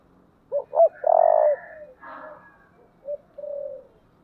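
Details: Spotted dove of the 'thổ' voice style, performing thúc and calling coos: two quick rising notes lead into a loud, sustained hollow coo, followed by a faint rough rasp and two softer low coos.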